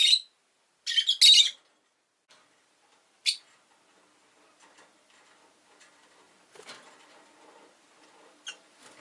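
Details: Rosy-faced lovebird giving a few sharp, loud squawking chirps in short bursts, separated by quiet gaps, with faint town noise in the background.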